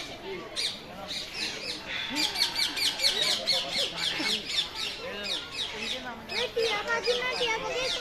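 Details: Rose-ringed parakeets calling together in a noisy flock, sharp high chattering screeches repeated rapidly, overlapping with other bird chirps and a faint human voice in the background.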